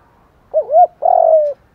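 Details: Male and female spotted doves cooing to stir up wild doves, mixing urging, cooing and calling notes: a low wavering double hoot, followed by a longer, steady, buzzy coo that fades slightly in pitch.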